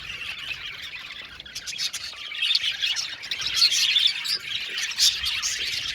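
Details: Budgies in an aviary colony, a dense flock chattering at once: a continuous mass of high chirps, squawks and warbling twitters, building louder after the first two seconds.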